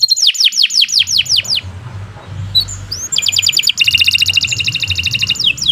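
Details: Canary in energetic song: a rapid series of loud falling whistles, a short pause with soft upward notes, then dense, buzzy rolling trills and a last sweep, over a low rumble.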